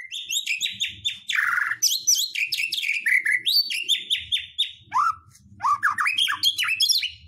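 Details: White-rumped shama song used to provoke other birds into singing: a rapid, varied stream of loud whistled and chattering phrases, with rising and falling notes in quick succession and a harsh burst near the middle, nearly continuous throughout.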